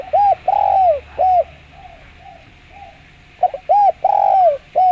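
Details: Spotted dove, prized for its clear voice and played as a lure: two phrases of mellow arched coos, each with a stretched falling note, separated by a pause with faint soft murmurs.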